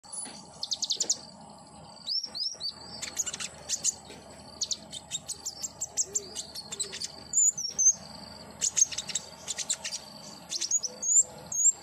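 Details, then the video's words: Common iora song used as therapy to get a captive bird singing: bursts of high, thin chirps and short rising whistled slurs, with rapid clicking trills, arriving in clusters every second or so over a faint steady hum. "terapi konin agar gacor !! hitungan detik langsung nyaut"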